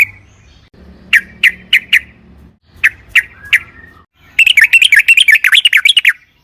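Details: Yellow-vented bulbul lure song, 'trucukan gacor': spaced single sharp chirps in two small groups, followed by a dense, warbling run of quick rising and falling notes; soft low noise underneath.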